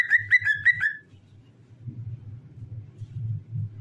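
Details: Cockatiel singing while dancing: four short whistled notes in quick succession, each slightly bent, lasting about a second, followed by a low rumbling background hum with no further bird sound.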